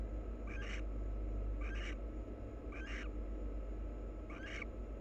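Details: Wild barn owl pair grooming each other: four short hissy twitters with a quick upward slur, evenly spaced about a second apart, over a continuous low hum.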